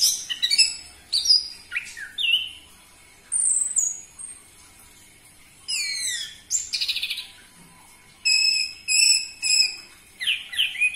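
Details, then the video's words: Orange-headed thrush singing, played to provoke kept birds into song: varied high phrases of slurred whistles and descending sweeps, with quiet gaps between them, ending in fast repeated chirpy notes. "Pancingan Burung Anis Merah Cepat Teler Suara Kenceng"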